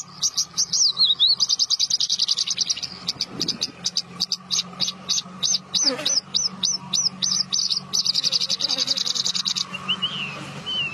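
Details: Bush lark (branjangan) song: long, rapid bursts of high, dry repeated notes, some buzzy trills and clipped chips, broken by short pauses, with a few sliding whistles near the end and a faint low hum behind.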